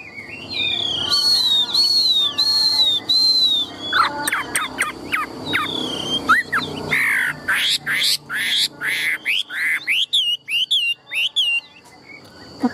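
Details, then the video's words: Tame, big-bodied Chinese hwamei song: repeated arching whistles, then harsh, sharp broadband notes and fast twisting whistles, over a steady background hum. "Chim họa mi thuần - Bộ To - Hót hét rất tốt"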